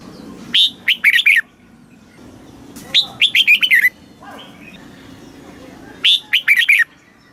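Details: Thai red-whiskered bulbul song in the southern master style, played to excite caged birds and teach young birds: three warbled phrases of several sweet, swooping notes, each about three seconds after the last, over faint background hiss.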